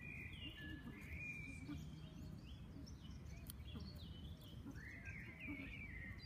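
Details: Common moorhen chicks giving thin, high, slurred peeps, some rising and some falling, scattered through the recording over steady low rumbling background noise.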